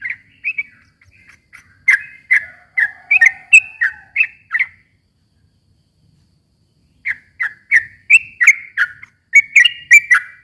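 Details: Sooty-headed bulbul song, long and rapid, played to coax a mute bird into answering. Chattering whistled phrases run for about five seconds, stop for two, then resume as quick, rising and falling notes.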